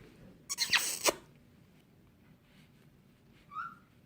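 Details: Fifteen-year-old pet caique, said to act like a dog and playfully called a ferocious predator, lets out a harsh, raspy burst of about half a second indoors, then stays quiet until one short whistled note near the end.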